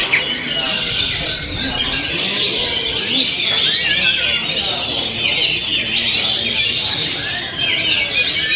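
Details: Kacer pouring out its 'ngent'-style song, a continuous medley of high whistles and twittering, punctuated by a few harsh, hissy bursts.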